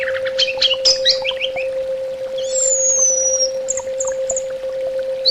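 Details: Orange-headed thrush singing: a tumble of sharp chirps and slurred notes, then a long descending whistle and a few short high peeps, against a steady low humming tone.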